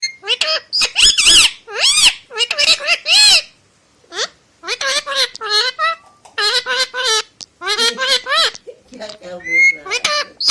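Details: An Indian ringneck (rose-ringed) parakeet, a talking bird said to speak Hindi and whistle, chatters in rapid, high, speech-like bursts with bright harmonic syllables and short pauses, plus a brief whistle near the end.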